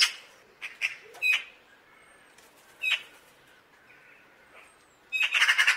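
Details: Eurasian magpie calling with rough, scratchy notes spaced irregularly, ending in a fast, loud rattling chatter of rapidly repeated harsh notes.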